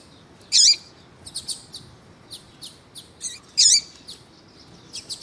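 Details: Female double-collared seedeater calling with a male of the tui tui song style, used to excite a caged male into singing; two loud high sweeping notes about three seconds apart, with faint scattered chirps between.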